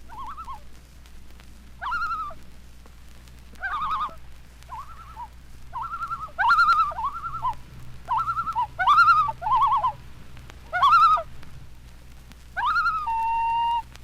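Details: Common Loon calling from a lake in the Adirondacks gives its laughing tremolo: quavering, wavering bursts of notes about every second or two, ending in a longer, steadier wail over a low hum.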